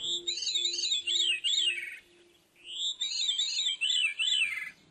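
Veery singing two breezy, flute-like phrases that spiral downward, each under two seconds, with a short pause between; a faint low hum underneath.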